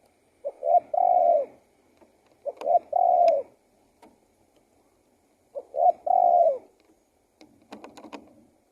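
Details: Repeated coo phrases of a spotted dove: three phrases of short stuttered notes and a long mellow hoot, with faint clicks and taps near the end.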